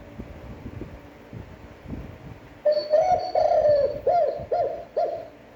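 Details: Cooing of a spotted dove used to rouse decoy birds, standard and fairly long: a stretched wavering coo followed by three short, evenly spaced downturned notes, with faint indoor background.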